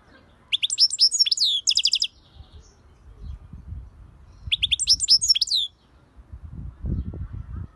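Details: European goldfinch delivering two bursts of fast, high twittering song with slurred notes and a buzzy trill, separated by a pause with low rumbling background noise.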